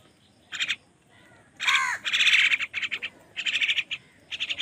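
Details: Crow squabbling with wild birds for food gives a single loud, harsh, drooping caw, surrounded by rapid, rasping chatter bursts repeated in quick runs from the competing birds.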